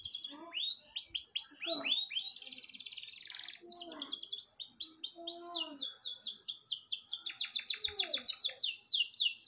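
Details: Canary master song for training other birds: long sequence of fast downslurred high notes, a dense buzzy rattle, lower sliding whistles, and extended rapid rolling trills repeated several times a second.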